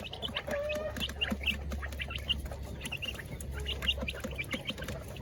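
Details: Village chickens kept in coops alongside laying hens, during feeding time: many short clucks and brief calls overlap at shifting pitches, over a steady low mechanical hum and scattered clicks.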